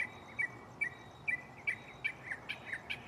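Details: Mockingbird at night in a nearby tree, delivering rapid repeated two-part slurred notes at a quick, uneven pace, several per second, over a soft hissing background.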